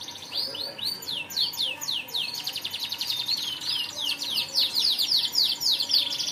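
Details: Canary singing continuous, varied, high phrases: swooping downslurred whistles, fast even trills and sharp chips, all delivered at a lively, rapid pace.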